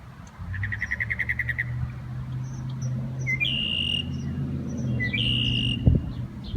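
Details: A Northern Mockingbird in a backyard, mimicking other birds, gives a quick series of about a dozen chattering notes, then high, clear whistled phrases, over a steady low hum.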